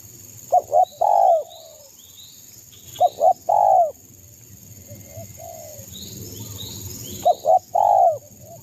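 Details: Spotted dove from East Java, used as a lure to anger rivals, singing 'kuk 2' style: three loud coo phrases, each two quick notes then a longer falling coo, separated by quieter softer coos and faint distant chirping.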